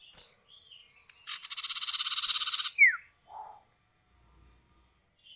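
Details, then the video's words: Common iora, male and female exchanging calls, played to coax other birds into song: soft whistles, then a long pulsed buzzy trill, a loud downward-sliding whistle and a short lower nasal note. "Pancingan Burung Sirtu atau Cipow, suara jantan betina bersahutan"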